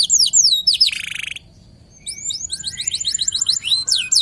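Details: Local canary song with swooping down-slurred whistles, a brief harsh buzzy burst, a short pause, then rapid chattering trills and high sweeping notes.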